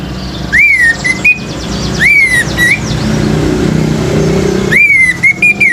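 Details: Orange-headed thrush, a male singing to rouse other birds, gives loud slurred whistles that rise then fall, repeated roughly every two seconds, each followed by thin high squeaky notes; faint traffic rumble underneath.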